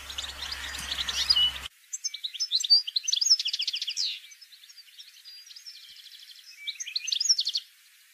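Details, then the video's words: Goldfinch batbata recording for luring birds to traps: a short noisy opening, then rapid bright twittering phrases with trilled rattling runs, a quieter stretch, and a final burst of tinkling notes. "بتبتة الحسون"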